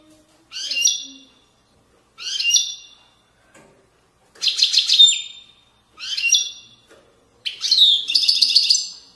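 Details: Moroccan widaniya goldfinch song, 2020: five short, sharp twittering phrases spaced roughly every one and a half to two seconds, the last one longer with a fast buzzy trill.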